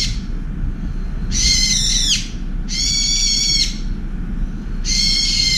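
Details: Angry brown-eared bulbul driving away an oriental turtle dove that displaced it from a window feeding spot; three long, harsh, grating screeches, each roughly a second, with a constant low rumble behind.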